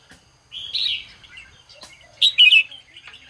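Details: Red-whiskered bulbul singing in the morning, a bird kept to stimulate others. A warbled phrase rises to a bright burst, then a quieter low note, then a second loud, twisting flourish near the end.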